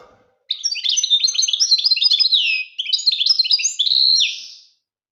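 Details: European goldfinch from Algeria, its song a fast continuous jumble of twittering, buzzy and tinkling notes lasting about four seconds, broken by one short pause and ending in a rising slurred note.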